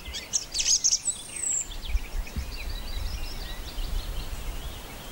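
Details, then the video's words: Song thrush singing on Castlemorton Common near Malvern in May 2021: it opens with a loud burst of sharp, high chirping notes and a thin descending whistle, then fainter twittering from other birds over a low rumble. "A minute of birdsong: Song thrush"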